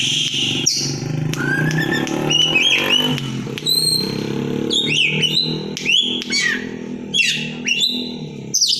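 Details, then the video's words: Kept White-rumped shama, fighter type, fans its tail and sings in the loud 'konslet' style after a banana-leaf caterpillar feed, provoking rivals: sharp rising and falling whistles and upslurred notes over a steady low hum and indoor noise. "suara kacer konslet, bikin geger lawan tarung,buka ekor"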